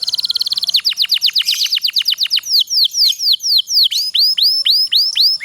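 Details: Long rolling kenari pocong canary song, played to get lazy canaries singing: an extremely rapid trill gives way to evenly spaced falling whistles and then slower upward-curving notes.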